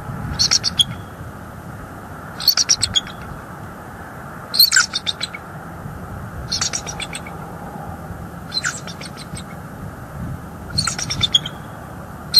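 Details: Bald eagle on a northeast Florida nest cam, Hamlet area, January 14, 2023, wild pair visiting the nest tree from morning to evening: clusters of sharp, high piping chirps come roughly every two seconds against a quiet background.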